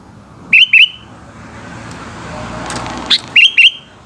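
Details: Sooty-headed bulbul singing in the afternoon; short clear upslurred whistled notes in pairs, one pair then a pause of about two seconds before another note and a second pair, over passing traffic noise.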